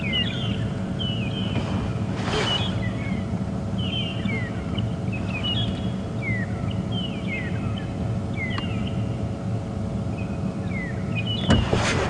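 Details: Magpie (long-tailed) shrikes, several birds overlapping, give strings of clear, slurred alarm whistles every second or so. Recorded at sunrise on 18 August 2015 from a safari vehicle in the bush, over a steady engine rumble, drowning out a mongoose's contact calls.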